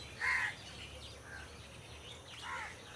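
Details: A crow among trees gives one loud, harsh caw near the start, followed by two much fainter caws against a low background hiss.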